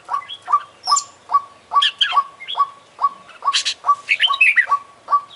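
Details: Oriental magpie-robin, international champion contest bird, singing constantly: regular mid-pitch chips repeated about twice a second, interrupted by scratchy high bursts and a short descending run of bright notes.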